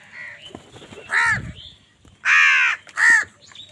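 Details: Angry crows fighting other wild birds for food give harsh, buzzy caws: faint scattered calls at first, then three loud, drawn-out nasal caws, each about half a second long.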